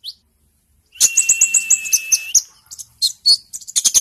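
A sunbird sings a fast, high, tinny run of chipping notes over a steady thin whistle, then sharp scattered twitters.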